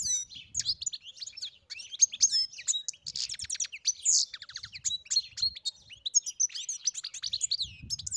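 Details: European goldfinch delivering a dense, jangling warble of rapid trills and twitters with a few buzzy notes, continuous and energetic, with faint low rumbling beneath.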